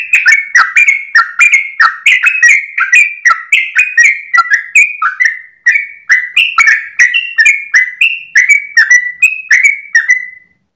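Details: Long continuous dawn song of a sooty-headed bulbul, ropel style for training cage birds: over ten seconds of rapid, slightly varied whistled notes with crisp high clicks, fading out at the end.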